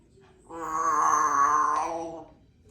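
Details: Female Congo African grey parrot, three years old and kept as a pet, making an interesting noise: a single sustained, groaning moan of about one and a half seconds, swelling and fading, with full overtones in a quiet indoor room.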